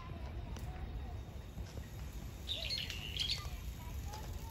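A Brown-eared bulbul gives a brief burst of harsh, high, screechy notes lasting about a second, over a steady low rumble of background noise.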